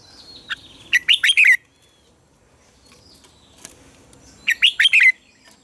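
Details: Caged red-whiskered bulbul morning song used to train captive birds; two bursts of rapid, loud, liquid warbling notes rising and falling, separated by about three seconds of quiet.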